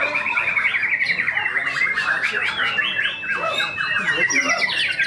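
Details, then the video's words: White-rumped shama, a tame caged contest bird, delivering imitated fill-ins at a song competition: quick run of bright whistled and chattering notes, several per second, with sweeping slurs and a short pause near the middle. "MB Kodrat Muntahkan Isian di Tiket Utama 16G❗ burung yang berkarakter jinak"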